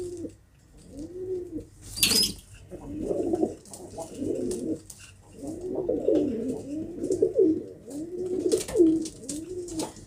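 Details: Several low, bubbling pigeon coos follow one another in arched phrases, with one sharp clatter early on and light background rustling.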